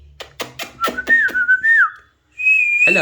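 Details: Alexandrine parakeet making a series of sharp clicks that give way to a wavering whistled phrase, a brief pause, then a long steady high whistle ending in a harsh harmonic burst.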